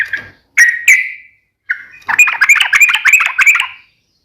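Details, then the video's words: Trucukan, or sooty-headed bulbul, in energetic song of the nembak ropel ngeplong kind: a few separate whistled notes and one held note, then a dense, fast bubbling phrase. "KICAU SUARA trucukan gacor NEMBAK ROPEL NGEPLONG"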